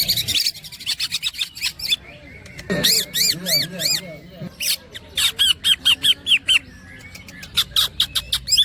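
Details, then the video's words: A greater green leafbird (cucak ijo) sings a loud, varied run of sharp chips and quick arched whistles, some repeated in fast bursts, in rolling song with woodpecker-like and cackling phrases. "The green cucak bird makes a sound cucak groping woodpecker"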